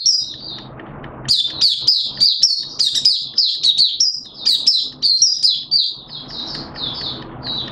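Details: Oriental white-eye, Malaysian bird, 'buka' opening song recorded 21 June 2023: after a second of low background noise, a dense burst of high, bright twittering chirps runs for several seconds before fading.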